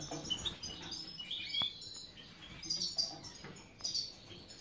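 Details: Captive European goldfinches of the subspecies Carduelis carduelis major at a breeding setup in Ioannina, Greece, giving high twittering chirps and short tinkling phrases in irregular bursts, with soft background rustling.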